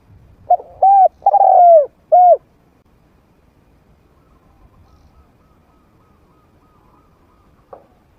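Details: Trained spotted dove with a medium-pitched voice, played to lure wild doves into approaching to fight. A short note, two hollow coos and a long rolling coo, then a closing coo, with quiet afterward and one faint note near the end.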